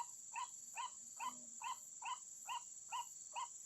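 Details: Lure sound for trapping white-breasted waterhens, a regular series of short hollow notes roughly every 0.4 seconds with a faint low hum midway, backed by a persistent shrill hiss.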